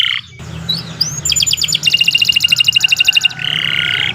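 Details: Canary singing, recorded as a long tutor song: quiet opening whistles, then a rapid pulsed trill of bright notes lasting about two seconds and a buzzy ending phrase, over a low rumbling background.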